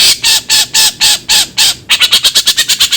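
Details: Long-tailed shrike giving loud, grating squawks about twice a second, then speeding into a quick run of shorter harsh notes.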